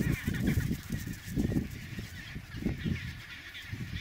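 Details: Chinstrap penguins on their trodden snow path between sea and nest sites; dense, low, raspy honks pulse in quick succession throughout, with little high-pitched sound.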